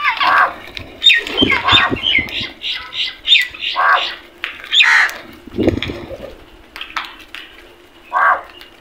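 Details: Crows fighting over food make a dense run of grating squawks and shorter clipped calls that overlap in a busy, uneven chatter, then thin out to a final harsh call.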